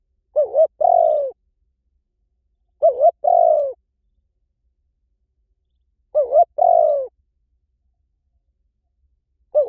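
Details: Spotted dove lure call given at a slow pace: paired notes, a dipping short coo and a longer descending hoot, repeated roughly every three seconds against silence.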